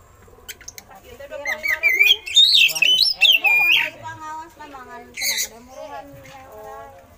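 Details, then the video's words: Kacer, the oriental magpie-robin, singing a song loaded with eagle-call imitations for tutoring other birds: a long harsh, squawky, strongly warbling phrase sweeping up and down, then a burst of hiss-like noise and fading throaty notes. "Suara Burung Kacer Isian Elang"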